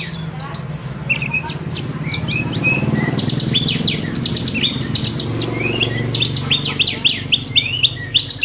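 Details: Horsfield's bush lark pouring out mimicked phrases: high chips mixed with short rising and falling whistled slurs, over a steady low rumbling background.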